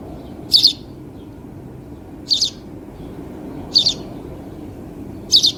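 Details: Four evenly spaced, high-pitched double chirps from a house sparrow, about one every 1.5 seconds, each short and emphatic, over a constant low background hum.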